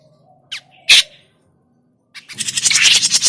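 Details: Grey-cheeked bulbul lure recording for trapping birds: a couple of short scratchy notes, a pause, then a burst of loud, rasping, rapidly pulsed chatter.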